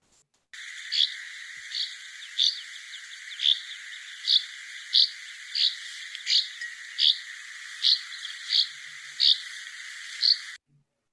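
A Northern Rough-winged Swallow gives short, buzzy, rasping notes, repeated irregularly about every three-quarters of a second over a steady background hiss.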